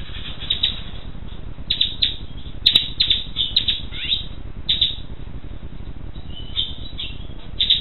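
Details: Black siskin singing in bursts of sharp, high chirps and quick downslurred notes, with short pauses between phrases and a faint low background hum.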